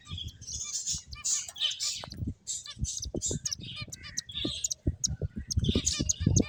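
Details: Finches at play give bursts of high twittering chirps and short downward tweets, clustered in quick runs separated by brief pauses, over frequent low knocks and rustles of movement.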